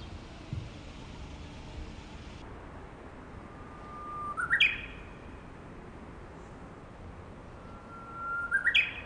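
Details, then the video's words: Japanese bush warbler singing from a power line: two songs, each a long, steady whistled note swelling then flipping into a quick rising and falling flourish, about four seconds apart, over constant traffic-like rumble. "ウグイス 電線で鳴く"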